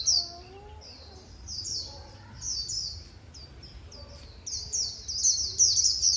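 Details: Vietnamese keepers' white-eye singing khuyên líu: high slurred chirps start spaced and soft, then build into a dense, louder warble toward the end. Softer lower whistles from other birds in the background.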